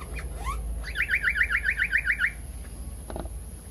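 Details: Pied fantail, known locally as seriwang or tali pocong, on a lure recording for attracting birds: a few rising squeaky whistles, then a quick run of about ten even, bouncing whistled notes, with a steady high hiss behind.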